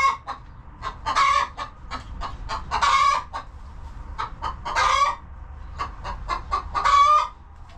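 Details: Hens in a cozy farm coop: steady soft, quick clucking, broken by four louder, raspy drawn-out squawks roughly every two seconds.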